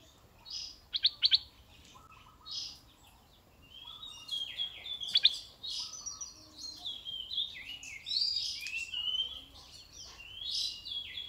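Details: Decoy red-eyed bulbul: a few crisp paired notes, then a longer warbling run of bubbly, wavering phrases, with faint chirps from other birds.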